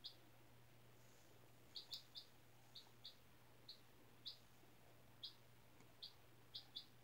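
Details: A 4-day-old chicken chick, classroom-hatched April 17 and kept indoors on new bedding, peeps repeatedly in high, clipped chirps, roughly a dozen in seven seconds, sometimes in quick pairs, against a low hum.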